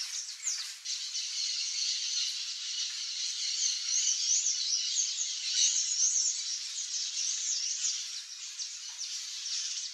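A Sayaca tanager gives a long, unbroken run of thin, squeaky, high twittering notes that tumble together without pause; nothing else stands out.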